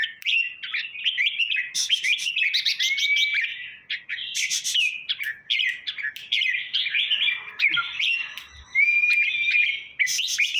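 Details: Red-whiskered bulbul song played to excite caged birds: a continuous jumble of mellow whistled phrases, wavering and slurred, with occasional longer clear whistles and sharp higher notes.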